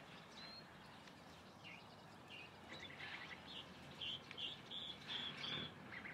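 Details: Singing calandria giving a series of clear, high whistled notes repeated at a brisk, fairly even pace in the latter half, preceded by a few softer chirps, over faint background noise.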